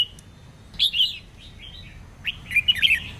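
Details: Singing female red-whiskered bulbul, used to stimulate males: two short phrases of slurred, downward-sweeping whistles about a second and a half apart, the second ending in a few quick chirps.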